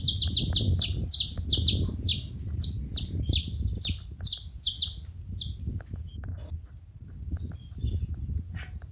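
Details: Saffron finches in a group: dense overlapping high, sharp, falling chips for about five seconds, thinning to scattered faint notes, then only low background noise.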